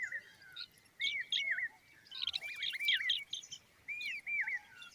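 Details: Common babbler family, chicks standing by their mother: repeated bouncing, looped whistled notes given in short groups about once a second, with higher chirps above.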